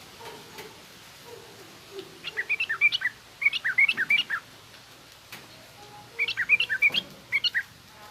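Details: Yellow-vented bulbul song in the 'garuda' style, then rough 'ngriwik' chatter, used to teach young bulbuls to sing: three bursts of quick bubbly, jumbled notes, each lasting under a second, with quiet gaps between.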